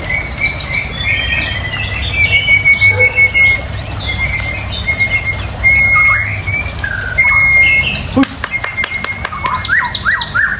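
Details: White-rumped shama giving repeated clear level whistles about every second, interspersed with short rising notes, then a burst of clicks and rapid chatter near the end, over a low hum.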